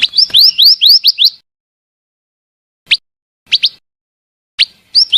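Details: Female scarlet minivet: a fast run of upslurred whistles at first, then scattered single and double rising notes separated by pauses.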